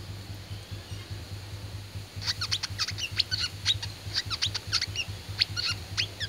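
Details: Oriental white-eye of the fighting (tarung) type, singing a rapid burst of high, thin, sharp chirps and twitters after two seconds of quiet, over a steady low electrical hum.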